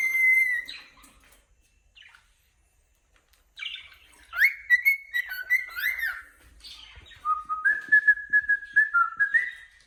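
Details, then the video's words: Cockatiel chirping: loud whistled note near the start, then a run of warbling, rising and falling whistles with harmonics, and a steady series of short repeated chirps toward the end, separated by brief silences. "cute cocketiel bird chirping"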